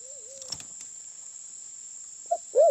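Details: Sulawesi black pigeon heard as a lure call: a faint wavering coo, some clicks, then a short note and the loud start of another coo cut off at the end, with a steady insect drone.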